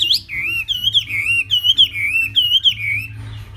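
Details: Hwamei delivering a flowing series of wavering, slurred whistles that rise and fall in a rolling rhythm, repeated six or seven times, then fading into softer chatter over a low background hum.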